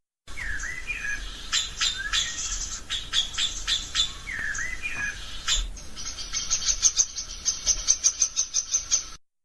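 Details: A Common Blackbird gives its alarm call, sharp metallic chinking notes with a few lower chuckles, speeding into a rapid insistent rattle of clicks near the end, as agitated blackbirds do in garden hedges and shrubs.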